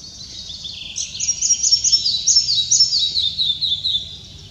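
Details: In June 2023 in Upper Silesia, a red-breasted flycatcher sings a bright, high phrase of quick repeated notes, about two per second, stepping gradually downward over a faint low rumble.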